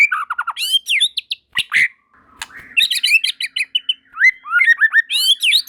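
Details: White-rumped shamas singing in full voice as others join at once. Dense, varied whistles, trills and high chirps pile up, with a brief buzzy note near the middle.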